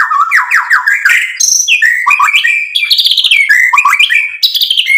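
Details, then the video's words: White-rumped shama in full gacor song, used to provoke other birds into replying. A dense, unbroken torrent of whistled slurs, high sharp notes and rapid trills shifts pitch constantly. "MURAI BATU GACOR MEMANCING EMOSI JADI NYAUT BUNYI BONGKAR MATERI ISIAN | PANCINGAN MURAI"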